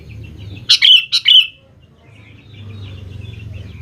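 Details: Lure song of a sooty-headed bulbul meant to provoke young birds: two quick, bright, liquid notes in close succession, then faint twittering over a low droning hum.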